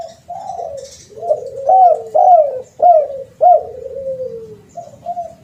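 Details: Spotted dove lure call, a run of mellow coos with four loud, slurred, downward-bending notes in steady succession and quieter drawn-out coos before and after.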